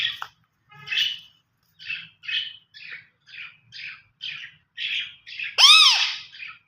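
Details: Green ringneck parakeet making its talking sounds: a string of short raspy chirps, roughly two each second, that ends in one loud harsh screech.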